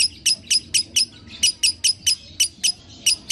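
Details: Lovebird chirps to prompt a quiet lovebird: a series of harsh, high, squeaky notes repeated about three times a second, with occasional small gaps.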